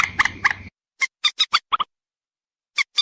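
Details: Waterhen lure call for attracting males and females: a few rough harmonic croaks with background hum, then crisp isolated nasal clicks in a short burst and a final pair after a pause.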